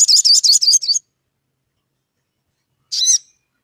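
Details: Crimson sunbird (Aethopyga siparaja) calling a rival, used to provoke other sunbirds to sing: a second-long burst of very high, rapid, chittering notes, then a brief sharp twittering phrase after a pause.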